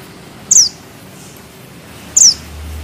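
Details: Mountain bushchat (mantenan gunung) giving two sharp, very high downslurred whistled notes about one and a half seconds apart, over a quiet low background hum.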